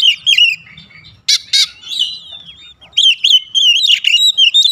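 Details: Oriental magpie-robin giving sweet whistles, harsh scratchy bursts and sliding notes, followed by a lively run of quick, repeated chirped whistles.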